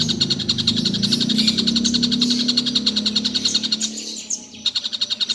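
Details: Collared kingfisher calling all day without pause, giving a rapid string of rasping notes roughly four per second, breaking off briefly before resuming, with a low hum underneath.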